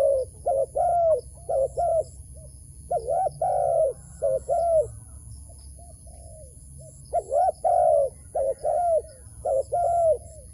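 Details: Wild dove being drawn toward a trap, cooing in quick runs of short hooked notes, each followed by a longer drawn-out coo, with a pause mid-clip before the series resumes.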